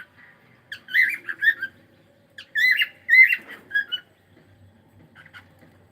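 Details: Pet cockatiel chattering on a live stream: two bursts of rapid warbled chirps and squeaky notes, each lasting about a second, then soft scattered peeps in a quiet indoor setting.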